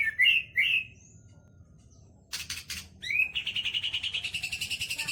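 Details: White-rumped shama singing a song filled with learned phrases of sooty-headed bulbul, sambung and lovebird: two bright rising whistles, a pause, a harsh scratchy burst, then a fast buzzy trill repeated about three times a second.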